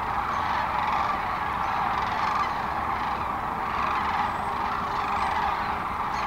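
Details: Thousands of sandhill cranes at a river roost on the North Platte River, Nebraska, in early morning on 25 March, taking off to feed in nearby fields. A dense, continuous, steady roar of massed calling with no individual calls standing out.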